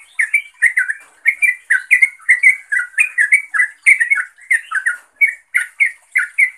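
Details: Yellow-vented bulbul giving calls aimed at a rival or companion, a steady stream of loud, warbling chirps, paired and tumbling, several each second without a break.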